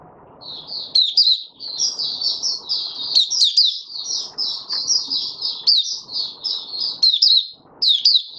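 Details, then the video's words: Open song of an oriental white-eye (Mata Puteh Raja) on day five after deworming, January 2022. A long unbroken stream of high, sweet, wavering notes is heard over intermittent low scuffling sounds. "Mata Puteh Raja Video 1 buka sing"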